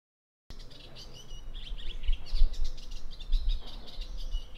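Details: Eastern olivaceous warbler, a rare bird in Italy, singing in a garden in the Bassa Modenese after the storms of May 2023: a fast, scratchy, chattering warble of short notes, continuous after a brief silence, over low rumbling background noise.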